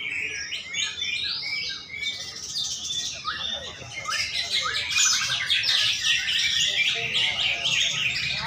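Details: Greater green leafbird in a Sunday songbird competition in Banten, 11 February 2024, pouring out fast, dense, tumbling whistles and chatters without pause, amid overlapping birds and background voices.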